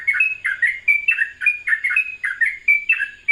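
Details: Sooty-headed bulbul singing a melodious rapid 'ropelan' style song in the morning: a quick run of short bright slurred notes, rising and falling, repeated about every quarter to half second without pause.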